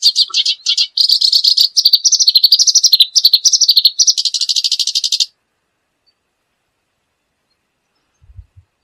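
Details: Reed warbler (kerak basi) delivering a fast, scratchy, chattering song of trilled and rattled notes for about five seconds, then silence apart from a couple of soft low knocks at the end.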